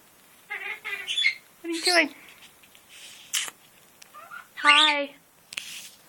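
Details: Pet male military macaw, territorial and aggressive on his cage top, utters rough nasal squawks and rising-falling harmonic cries in uneven bursts, mixed with clicks and small knocks in a room.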